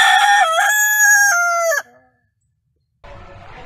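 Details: Crowing rooster: a rich, harmonic cock-a-doodle-doo with a dip and rise early on, then a sustained level tone that steps down before stopping sharply, followed by silence and then low background noise.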